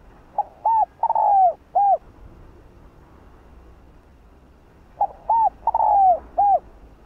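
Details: Spotted dove repeating its 'hạp bổi' style coo, meant to stir up other birds: two identical phrases about four seconds apart, each a quick short note, an arched coo, a long falling coo and a last rounded coo.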